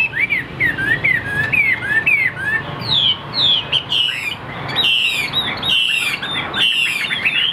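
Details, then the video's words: Afternoon song of a caged tam hoàng hwamei, not yet at full power: repeated sliding whistles in quick series, then louder, higher ringing phrases with sharp upward sweeps, over faint background rumble. "Tam hoàng chim đẹp trên từng milimet, hót tốt bộ siêu đẹp"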